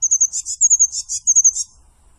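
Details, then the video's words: Eurasian blue tit singing: a high, thin whistled note repeated a few times, then a pair of quick buzzy trilled bursts, the pattern cycling three times in about two seconds against a silent background. "Пение птиц / Лазоревка прекрасна и удивительна"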